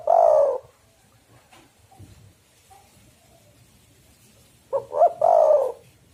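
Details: Energetic spotted dove calling to lure wild doves for trapping: the tail of a long husky coo opens, then after a quiet gap a full phrase of two short rising coos and a drawn-out falling coo.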